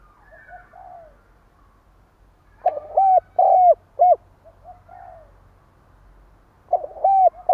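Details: Decoy spotted dove giving a stuttering provoking coo: faint soft coos, then a loud phrase of four low hooting notes, the middle ones longer, starting again at the end.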